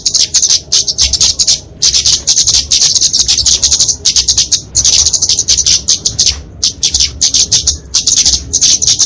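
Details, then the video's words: Flowerpecker (kemade) fighting song meant to tutor and attract small birds: repeated phrases of rapid, needle-thin twittering, about one to two seconds each, separated by brief pauses. "Kicauan Kemade Tarung Untuk Masteran&Pikatan Burung Kecil"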